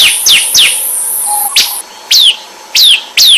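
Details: Bar-winged prinia singing in 'semi ombyakan' style to draw other birds into song: a few quick, high, falling chirps over a long, thin, high-pitched tone, then spaced single down-slurred notes.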